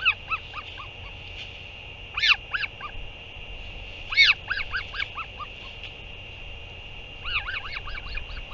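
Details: Northern royal albatross on 8 June 2023 as a parent arrives to feed its chick: rapid stuttering series of honking notes, with louder single honks near two and four seconds and a final quick burst, over a constant hum.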